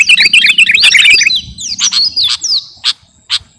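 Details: Sooty-headed bulbul of the kutilang garuda type in a training song for captive birds: a dense warbling burst that thins into a few clear falling whistles and single sharp notes spaced about half a second apart, over a faint buzz.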